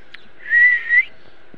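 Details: A pet Indian ringneck (rose-ringed) parakeet, which says "mithu miya" around this clip, gives one clear, steady whistle lasting about half a second, rising slightly at the end, over a quiet room hum.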